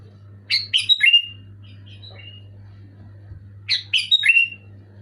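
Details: Sooty-headed bulbul, kept as a pet bird, loud clear song played to trigger other bulbuls to sing: two bursts of three or four quick descending chirpy whistled notes, about three seconds apart, over a low steady electrical hum.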